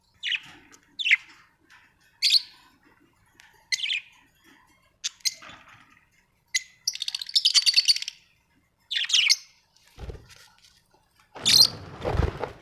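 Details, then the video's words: Pet budgerigars kept at home give a run of short chirps and warbling chatter, bursts every second or so with a denser scratchy stretch in the middle, followed by a broad noisy thump near the end. "Budgies ❣️"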